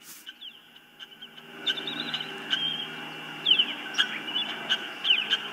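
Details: Ospreys at a nest, filmed by a nest camera on 19 April 2024 as birds come and go; repeated short, high, slurred whistled chirps, growing louder and more frequent in the second half.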